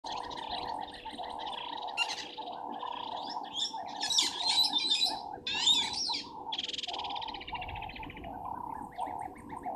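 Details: Helmeted guineafowl at Gowrie dam waterhole, Djuma Game Reserve, Sabi Sand, South Africa, at 17:41 on 24 January 2023, give harsh, rasping cackles in uneven bursts over a steady evening chorus.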